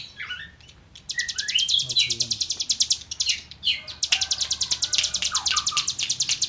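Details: A tame hill prinia (Prinia superciliaris) sings hard: fast, buzzy trills of high rattling notes, about two per second, with a few short whistled slurs mixed in.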